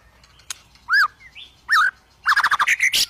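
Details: Agitated white-rumped shama (murai batu) looking to fight a rival: loud arched whistles followed by a rapid, harsh stuttering burst of chattering notes.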